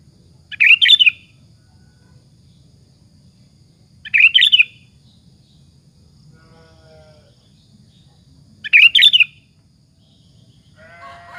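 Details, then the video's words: Sooty-headed bulbul in full voice as a lure for other bulbuls, repeating a short bubbly whistled burst roughly every four seconds, with a faint low hum and a brief softer sound near the end. "suara PANCINGAN BURUNG KUTILANG BUNYI GACOR"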